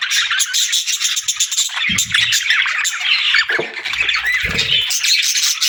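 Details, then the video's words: Summer chorus of parakeets: busy, overlapping chirps and scratchy warbles run without pause, with a few brief low thumps or handling noises underneath. "Parakeets Chirping Sounds"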